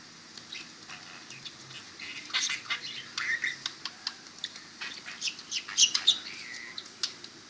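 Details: Budgie being talked to and kissed by its owner, giving a rapid series of scratchy chirps and squeaky notes that grow busier midway.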